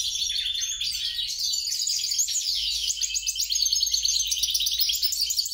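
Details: Goldfinch hybrid mule singing an energetic, jangling warble of rapid high notes and rattles, growing slightly louder and choppier toward the close.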